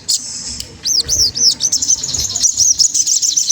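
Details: Magpie-robin song used to tease a rival into singing: a few high, looping whistled notes, then a long rapid stream of shrill, twittering chirps.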